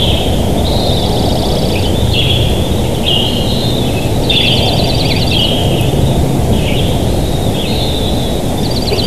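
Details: Bald eagles at a live-cammed nest in Big Bear Valley, recorded 7 July 2023 at 07:54; repeated high, thin chittering calls with stuttering notes in series every second or two, over steady low rumbling background noise.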